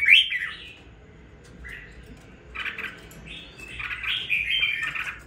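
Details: Caged red-whiskered bulbul, two weeks after purchase, opens with a sharp whistled phrase, pauses, then delivers a few scratchy chattering notes and a louder warbled run.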